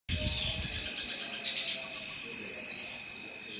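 A red siskin sings a continuous high, twittering warble of buzzy trills and thin rising notes, lasting about three seconds.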